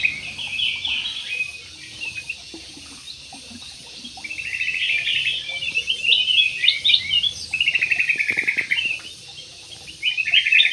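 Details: Jumbo parakeets in an Indonesian aviary, a flock chattering in long bursts of fast buzzy, grating chirps, quieter between bursts and swelling again, several voices overlapping over a faint hiss.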